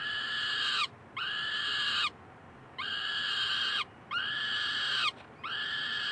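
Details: Peregrine falcon chicks in Columbus on May 9, 2015, begging loudly for food while the resident adult male babysits. Harsh, wheezy, rasping screams, each about a second long, repeat in steady bursts with brief silent gaps between them.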